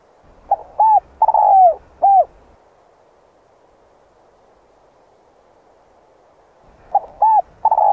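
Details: Spotted dove calling in the morning by a riverbank, used to lure wild doves: a four-part cooing phrase of short coos and a longer drawn, falling coo, given near the start and again after about four seconds of silence.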